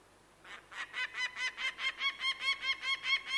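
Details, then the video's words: Bird of prey calling; silence at first, then a rapid series of strident, ringing notes that swell in loudness toward the end, over a faint background hiss. "The Sound of a Bird of prey"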